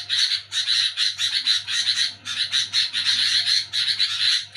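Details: Sooty-headed bulbul chattering noisily at night, when people are asleep: harsh, scratchy chatter in rapid bursts, several each second, almost without pause, over a faint low hum.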